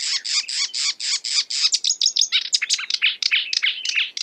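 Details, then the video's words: Marsh warbler in imitative song, opening with rapidly repeated rasping notes about seven per second, then sliding into a tumbling mix of varied chirps and twitters. "A marsh warbler (Acrocephalus palustris) imitating other birds"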